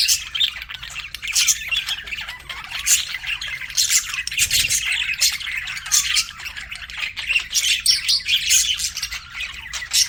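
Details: Continuous chatter of pet budgerigars, raspy warbles and sharp chirps overlapping from several birds, fluctuating in loudness over the whole stretch.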